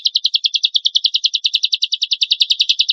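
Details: Lovebird in full song, played to spur other lovebirds into singing, with rough bursts. Three seconds of unbroken, rapid, high-pitched chattering notes, evenly paced and buzzy.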